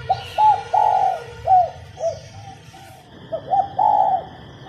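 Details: Female spotted dove coo for urging males to sing: a full phrase of short and long throaty coos, a pause with soft trailing notes, then a second phrase ending on a long purring coo; a constant high hum throughout.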